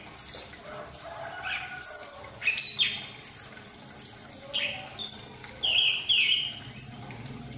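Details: Young Chestnut-capped thrush, a female ring bird from Malang, Indonesia, recently out of the juvenile stage and actively learning to sing: a rapid, varied run of high whistles and chirps with sharp downward slurs, continuous and energetic, with occasional wing flutters.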